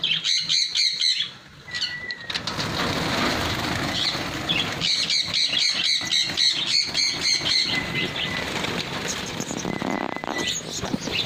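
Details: Pin-tailed parrotfinch with runs of high, clipped, rapidly repeated call notes in several bouts, separated by brief quieter gaps, against a persistent noisy rushing background.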